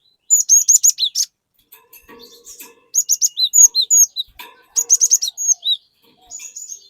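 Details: Cinereous tit in lively full song, used to coax untrained tits into singing: three bursts of rapid, high, sharp repeated notes, each roughly a second long, with soft lower chatter between them.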